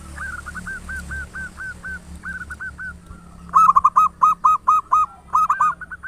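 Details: Zebra dove of local stock, loud-voiced, used as a lure to make doves sing: a steady series of short, hooked coo notes rises into a louder run of rapid coos.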